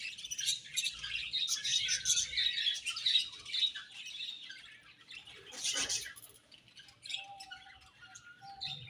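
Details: Budgies twitter and warble steadily, then the chatter thins before a sudden loud burst of chirping. Quieter calls and a few faint steady tones follow near the end.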